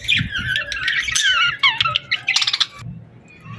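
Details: Birds singing at a summer sunset, with fast sliding whistles and buzzy chirps crowding together, then a rapid stuttering series of notes before the sound thins to quieter calls.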